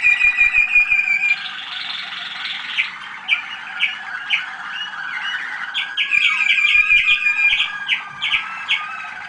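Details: Young Waterslager canaries of the 2010 season, Malinois breed, singing at a listening session on 25 November 2010; bubbling, watery warbles and repeated rising chirps about three per second, overlapping trills from several birds.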